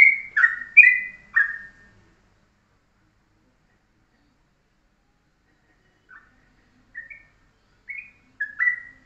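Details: Morning master song of a Yellow-vented bulbul in ropelan style, short and tight, used to tutor other birds: a quick cluster of rich, gurgling notes, a long silence, then softer scattered chirps building back into bubbly phrases.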